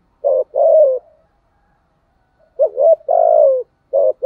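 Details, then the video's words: Decoy spotted dove calling in 'giọng thổ' style: deep, soft coos, a long falling note, then after a pause a two-part phrase of a rising note and a sustained sliding coo, another starting at the end. "cu mồi giọng gáy bài bản, cu gáy giọng thổ, cu gáy"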